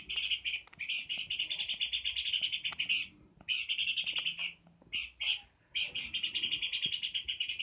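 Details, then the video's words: Peor bird singing vigorously, with sustained streams of quick buzzy high-pitched pulses in three long phrases separated by brief gaps and a couple of short bursts, light clicks behind. "Burung peor gacor"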